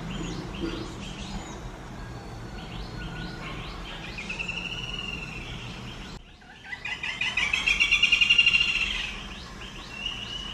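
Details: Black-rumped flameback woodpecker at Ottappalam, Kerala: a loud, rapid rattling run of sharp, even notes swelling and fading over about two seconds, preceded by scattered high chirps and short whistles from other birds over steady background hiss.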